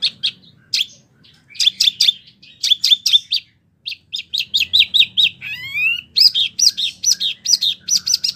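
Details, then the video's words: A vigorously singing mini wambie kept to tutor competition birds: clustered high chirps in short bursts separated by brief pauses, a rising whistled glide, then a continuous chattering stream. "wambie mini super gacor"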